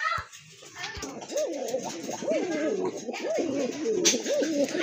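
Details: A pair of domestic Satinette pigeons held indoors at a loft in Kashimpur, Gazipur, Bangladesh, offered for sale and described as healthy; low, soft arching coos repeat steadily over several seconds, with a man talking in the background.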